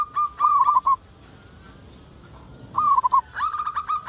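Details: ['Local zebra dove calling, used to prompt other doves to call quickly: short rolling cooing trills, two phrases separated by a pause of almost two seconds, the second followed by a steadier run of coos.']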